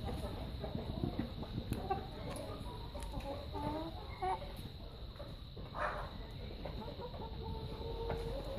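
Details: Buff Orpington chickens, recorded 01-12-15: soft, low clucks and murmuring calls scattered through steady background hiss, with a brief louder squawk near the middle.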